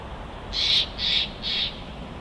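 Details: Bald eagle calling at its nest at Big Bear, captured by a live nest camera: three short, high, squeaky chittering notes in quick succession over steady background hiss.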